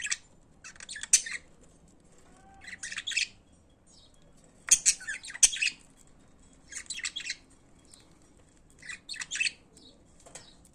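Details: Pet budgerigars sing in separate bursts of high, scratchy chatter about every two seconds, each burst a tight jumble of chirps and buzzes with quiet gaps between.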